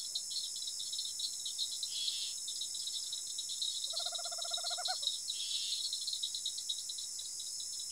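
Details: One quick, evenly spaced purring trill of a tropical screech owl, about a second long and ending in stronger notes, against a constant high insect buzz in rural Araçatuba, São Paulo.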